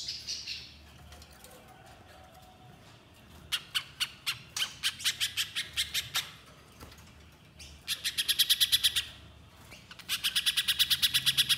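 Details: Little spiderhunter in full song: after a quiet start, loud isolated sharp chips come at irregular intervals, then fast rattling runs of high, piercing notes in two long bursts.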